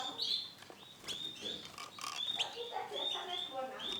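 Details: White male canary singing: clear high whistled notes and short rising slurs, repeated in quick bursts, with softer lower murmurs beneath.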